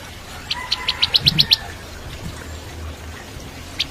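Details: Bar-winged prinia (ciblek kristal) tutor song for shamas: a brief accelerating series of seven thin high chips over a faint whistle, then quiet background with one later chip.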